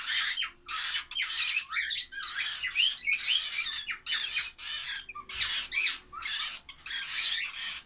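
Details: Baby lovebirds keep up a steady series of grating, raspy squawks, one short burst after another, almost without pause.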